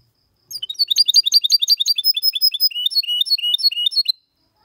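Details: In this 2022 recording, a goldfinch x canary hybrid sings clean song in the copiaMalaga style. A dense, rapid chirping phrase gives way to slower, drawn-out high whistles.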